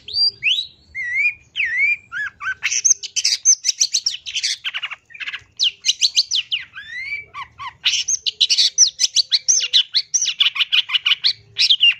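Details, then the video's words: Long-tailed shrike lure recording, ombyokan material to get birds calling quickly: a long, varied run of whistled slurs, harsh chatters and rapid repeated scratchy notes, changing phrase every few seconds, with faint low hum beneath. "Pancingan Suara Pentet Bahan Ombyokan Agar Cepat Bunyi"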